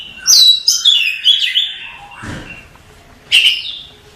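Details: Masteran recording of an Oriental magpie-robin: loud varied whistles and slurred notes in the first second and a half, a fading warble, a short rustle, then a strong rising whistle.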